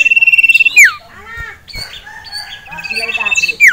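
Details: Caged male sirtu, agitated by a rival male and a female, delivers rapid even pulsed trills at steady pitch, each closing with a sharp falling whistle, with mixed warbles between.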